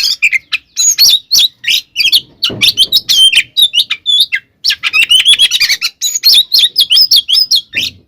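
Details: Kacer, the Oriental magpie-robin, giving its fighting song meant to stir other magpie-robins to anger; dense bursts of high whistles, clicks and warbled phrases tumbling quickly, with a few brief gaps.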